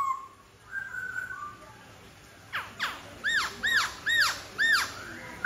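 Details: Song of a white-browed laughingthrush: soft, thin level whistles at first, then a steady series of loud arched notes, each sweeping up and down, delivered roughly twice a second.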